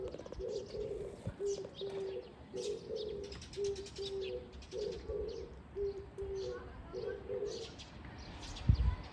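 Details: An Oriental turtle dove on 13 April 2024 gives a low, hoarse cooing phrase of short hooted notes, repeated steadily; faint chirps of other birds, and a knock near the end.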